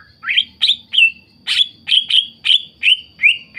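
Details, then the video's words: A greater green leafbird in full song, used as a lure to make other leafbirds answer and sing: a rapid run of sweet, slurred, high chirps, about eight notes in under four seconds, over a faint low hum. "CUCAK IJO GACOR, CUCAK IJO LAIN MESTI NYAUT DAN IKUTAN GACOR"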